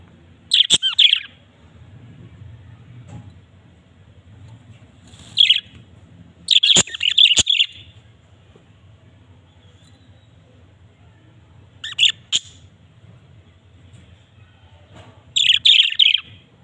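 Budgerigars give short bursts of scratchy, high chirps and twitters, separated by quiet pauses.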